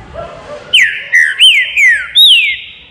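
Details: A green-winged saltator in a flight cage sings a loud run of five clear, whistled notes, each sliding downward, delivered in quick succession after a quiet start.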